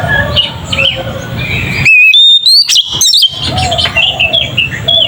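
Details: Oriental magpie-robin in ngeplong song, a lure meant to rouse other magpie-robins; a single loud burst of slurred, rising whistles and quick high chirps stands out between soft, busy background twittering.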